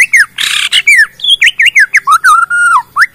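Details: Bornean white-rumped shama singing to set off other shamas. Loud slurred whistles swoop up and down in quick succession, broken by one harsh buzzy burst, ending in a drawn-out level whistle.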